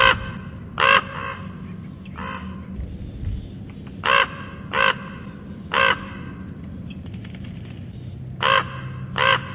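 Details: A Common Raven at Big Bear Lake, 4 October 2017, first mistaken for a woodpecker, gives about seven harsh, hoarse croaks, single or in quick pairs at uneven gaps, over a low steady rumble.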